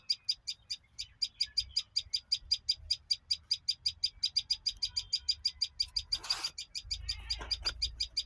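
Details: A bird chirps in a fast, even series of short high notes, about three or four each second, with a brief rustle partway through and low background hum.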